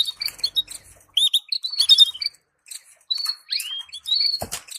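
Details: High canary warble meant to stimulate breeding pairs: rapid chirps and trills, then a pause and a few long rising whistled notes, ending in a sharp click.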